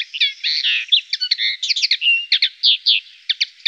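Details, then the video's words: European goldfinch singing near Tablas de Daimiel and Villarrubia on the La Mancha plain, a busy jumble of buzzy twitters, rolling trills and short liquid chirps repeated in quick succession. "jilguero (entorno Tablas de Daimiel y Villarrubia-Llanura Manchega)"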